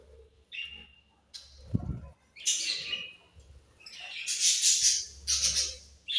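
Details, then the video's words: Budgie chirps: a brief high whistled note, then rasping, buzzy chatter building into loud, scratchy warbles toward the end. "Very Sweet Budgies Chirping Sounds"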